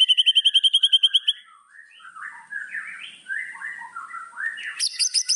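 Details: White-rumped shama singing to provoke rivals: it opens with a fast, ringing trill, moves into a varied, rambling run of mid-pitched warbled and slurred notes, and ends with a high, buzzy trill.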